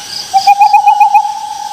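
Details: Owl uttering a single mid-pitched quavering note, pulsing about seven times in under a second, then trailing off into a steady fading tone.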